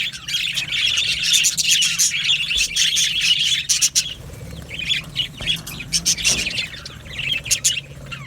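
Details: Budgerigars in an aviary colony, a dense mix of high chirps, squawks and warbling chatter from many birds, in bursts with short quieter gaps.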